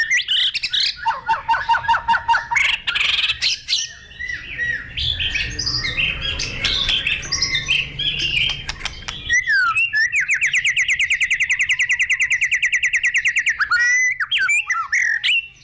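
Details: White-rumped shama in full song, mixing quick chattering notes and scratchy varied phrases, then a rapid steady trill of repeated notes lasting several seconds, ending with sharp whistled sweeps.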